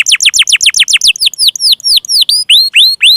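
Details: Canary singing to prompt stalled, reluctant or juvenile canaries to sing: a quick series of descending whistled sweeps, shifting to slower upward-curving whistles, loud and clear.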